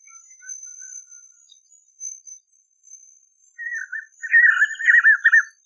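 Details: Spot-backed puffbird in the caatinga. Faint background notes lead into a loud, quavering series of mid-pitched whistles rising in intensity over the final two seconds.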